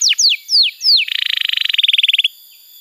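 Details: Young canary training song used to coax a silent canary into singing: three descending whistled sweeps, then a fast buzzy trill of about twenty even pulses lasting over a second.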